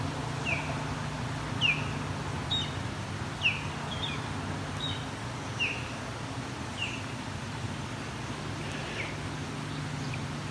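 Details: Osprey along the Grand River, Waterloo, Ontario, riparian and urban habitat, about half a kilometre away: loud, high, clear whistled notes, each sharply falling, about one per second, over a low rumble of traffic.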